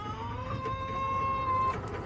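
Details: Backyard chicken in July giving one long, steady, sustained harmonic note lasting over a second, level in pitch, over a low background hum.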